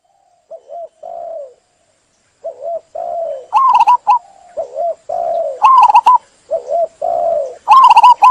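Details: Zebra dove cooing in short, soft, low phrases, each a quick hooked note followed by a longer falling coo, repeated in groups; some brighter, higher, sharper notes join in the later half.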